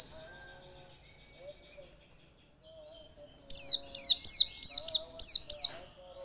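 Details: White-eye sound used as a lure to stimulate strong singing: near-silence, then a rapid run of seven piercing, high downslurred notes, each falling sharply in pitch, spaced a bit under half a second apart.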